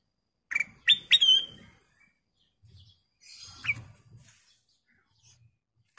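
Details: Kutilang emas bulbul in energetic song, used as master audio: three quick clear whistles rising and falling, a soft hiss, then one more upward note, with light low bumps in the background.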